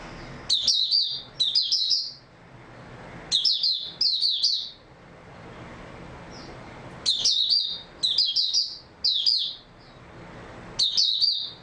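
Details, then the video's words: Recorded 3 March 2022, an oriental white-eye gives groups of two or three quick, high twittering phrases, each under a second, with pauses of several seconds between groups; faint room hiss underneath. "Mata Puteh Raja Video 2 buka sing tiong aw"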